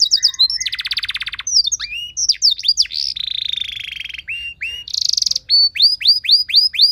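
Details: Canary singing a training song with a luxurious, varied phrasing meant to spur other canaries into song: dense buzzy trills, sharp swooping whistles and a rattling high burst, ending in a string of bright rising notes repeated about four per second.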